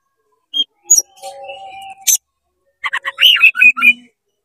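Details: Oriental magpie-robin in fast, vigorous song with tail open, aimed at provoking rival magpie-robins; scattered short chips and a faint steady tone give way to a quick run of varied warbled and whistled notes.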